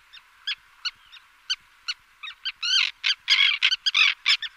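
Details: Common Tern (Sterna hirundo) giving short, harsh, grating call notes, spaced out at first, then quicker and louder in overlapping bursts toward the end.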